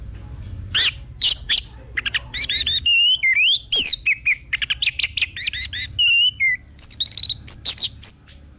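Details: Orange-headed thrush singing, recorded as a lure to make a bird sing: a fast, varied run of clear whistles, sharp slurred chirps and short buzzy notes, nearly continuous, over a faint low hum.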